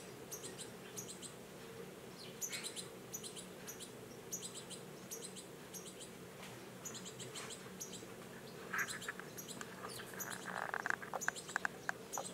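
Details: Wild goldfinch at a feeding spot, with clusters of bright, high, quick chirps repeated every second or two, then sharper clicks and rustling bursts near the end, against a constant low background hum.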